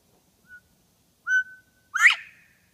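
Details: Quail reintroduced to Bernheim Forest, near the Education Center, in 2014: a short soft whistle, then a clear level whistled note followed by a loud, sharply rising burst, in quiet surroundings.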